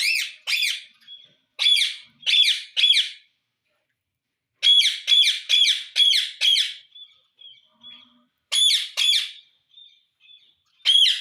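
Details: Pet talking parrot producing loud harsh squawking bursts in clusters of two to five, with thin whistled notes between groups and short pauses, recorded indoors in a small room.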